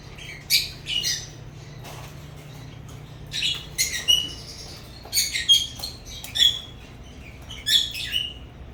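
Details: African lovebirds chirping: scattered short, harsh, high chirps and squeaks arrive singly or in quick pairs, with quiet pauses between, roughly a dozen notes overall, and a soft low hum underneath.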